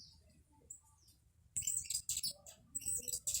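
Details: In a backyard where she alone feeds on nectar and drives off the others, a blue hummingbird is quiet for over a second, then bursts into a dense run of sharp, thin, very high chirps and twitters.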